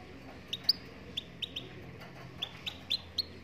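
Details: Moroccan goldfinch in song: a rapid run of about ten clear, high, slightly rising chirps, some doubled, with a low hum underneath.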